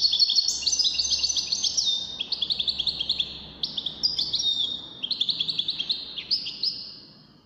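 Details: European goldfinch, one of five entered in a song competition of the wdaniya style, sings a long rapid run of high twittering, tinkling notes with sliding phrases, nearly unbroken for over seven seconds.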